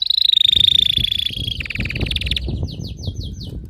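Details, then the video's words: Canary song opening with a long sustained high whistle, then a buzzy rolling trill dropping slightly in pitch, followed by a string of quick downward-slurred high notes repeated about four times. "صوت كناري يخلي الكناري الصامت يكسر القفص"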